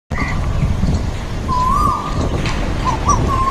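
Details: Two male Asian koels in a tree in an Indian garden sing and fight. One gives a clear whistled note that rises and holds, then a few short rising notes, over a low rumble, with other birds chirping.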